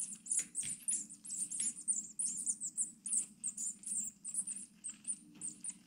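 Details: Orphaned tit nestlings, six days old, beg during hand-feeding at a wild bird rescue in Brilon, Germany. Rapid bursts of thin, piercing high squeaks pulse in waves above a constant low hum.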